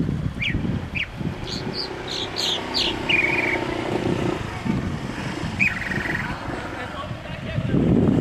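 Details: Chalk-browed mockingbird singing: scattered high chirps and short slurred whistled phrases, a few notes buzzy and drawn out, set against a constant low rumble of traffic.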